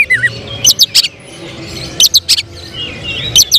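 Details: Oriental magpie-robin in a cage, a contest hopeful, sending out short groups of sharp clipped notes roughly every second, with soft whistled phrases between them over faint background rumble.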